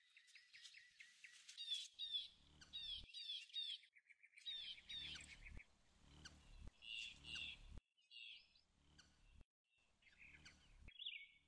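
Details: Leucistic Black-chinned hummingbird recorded outdoors with a Sony RX-10iv camera: bursts of sharp, high chipping notes, several quick descending chips grouped together, repeated in clusters over about eleven seconds, with short pauses and a faint low rumble beneath.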